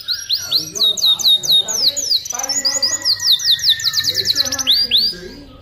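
A canary sings a fast, continuous run of high whistled trills and sweeping chirps, with rapid buzzy rolls mixed in; fainter lower chatter sits underneath.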